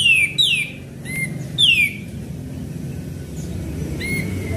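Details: Sooty-headed bulbul song played as a lure: quick falling whistled notes in short pairs, a pause, then a single flat whistle, with a steady low hum behind.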